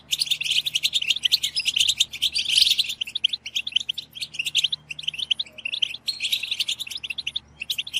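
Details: {'caption': 'Several goldfinches babbling together in a lively chorus meant to push other goldfinches into song; busy tinkling twitters and buzzy notes overlap continuously, with brief lulls around the middle and a low background drone.'}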